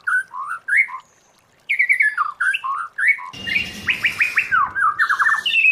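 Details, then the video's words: White-rumped shama forest-voice training song: mellow warbled whistled phrases with short gaps, then a quick stuttered series of notes over faint background hiss. "Luyện choè lửa hót giọng rừng hay, luyện giọng choè lửa hay"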